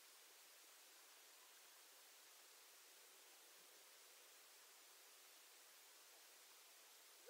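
Even, unbroken hiss like rushing water throughout, with a faint click at the very end and no animal voice.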